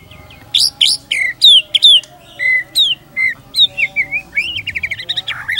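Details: Energetic white-rumped shama pancingan song, Indonesian tutoring material: high clipped whistles and descending slurs delivered in quick bursts, ending in rapid rolling chatter and a rising squeal.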